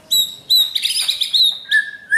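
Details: White-rumped shama under training sings high, pure whistled notes repeated several times, followed by a lower, level whistle.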